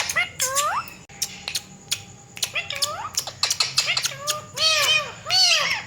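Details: Pet Indian ringneck parakeets, a talking parrot said to use a cat voice, give arched, meow-like calls that fall in pitch, between sharp clicks and short squawks, in a small indoor room.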